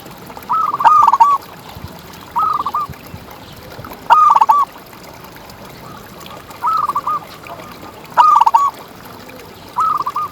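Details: Local champion zebra dove, a lively contest bird used as a tutor and lure for quiet captive doves. It coos in bursts near one pitch, each a rising opening followed by stuttered notes, five phrases about every two seconds over soft background hiss.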